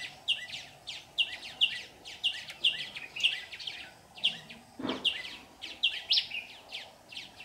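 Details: Singing red-whiskered bulbul kept as a decoy to lure birds into a trap, recorded 15 July 2019; steady run of sharp, high chirps and quick whistled slurs, with a single thud near the end.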